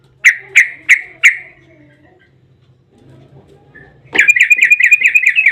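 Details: Yellow-vented bulbul 'ropel' song, meant to lure other bulbuls into singing: four loud evenly spaced chirps, a quiet pause with faint low hum, then a rapid buzzy rattle of high notes.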